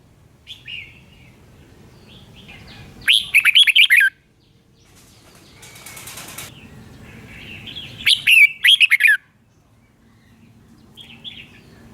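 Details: Red-whiskered bulbul, a recording for training caged birds or trapping: two brief bursts of bright warbled notes about five seconds apart, with a soft whirring rustle between them and faint background hiss.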